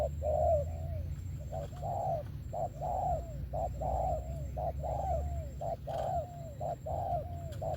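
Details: Spotted dove in thổ-style song: hollow coos in short-long pairs, the long notes slightly falling, repeating about every second over a low rumbling background hum.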